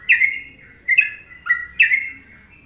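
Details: Sooty-headed bulbul song from an Indonesian masteran recording in the well-liked Trucukan rhythm: four bright, mellow notes dropping in pitch, spaced roughly every half second, with a faint hum in the background.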